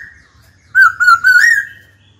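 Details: Trained caged black-throated laughingthrush sings to provoke a rival into a fight, giving one rich phrase of three linked, wavering whistled notes over a faint low hum.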